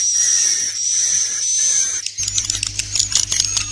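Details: Roosting lure ('inap plus' internal sound) for swiftlets. A thin, high, sustained tone holds for about two seconds, then rapid high clicking chirps take over over a constant low hum.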